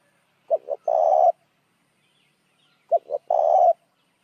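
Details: Spotted dove calling to lure other doves: a pair of low cooing phrases roughly two and a half seconds apart, each with two clipped notes and a longer hollow ending note.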